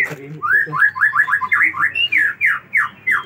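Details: White-rumped shama of the Aceh type delivering a very long run of varied song material: a rapid series of bright, slurred whistled notes, each rising then falling, about five per second, with faint background clicks.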